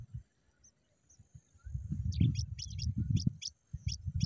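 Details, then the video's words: Pipit chicks begging: short, high squeaky notes come in quick bursts, some doubled, over a steady low rumble. "Pipit bird's beautiful babies"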